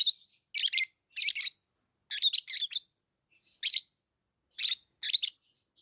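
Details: Pet lovebirds chirping: harsh, high, scratchy chirps in short clusters, several bursts spaced about half a second to a second apart.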